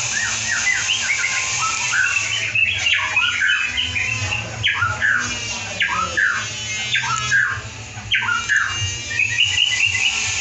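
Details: Lively white-rumped shama singing, meant to train other shamas: a dense, continuous stream of varied short whistles and chirps, jumbled and fast, over a steady background hiss.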